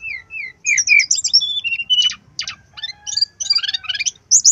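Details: Brown-chested jungle flycatcher tutor song: sweet falling whistles, a cluster of quick twittering notes, rasping strokes and a long run of jumbled bright chattering notes ending on a high sharp call.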